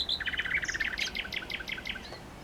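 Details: Common nightingale song, loud and close: a dense, rapid chatter of sharp repeated notes and buzzy phrases pouring out, then a brief whistle as it fades.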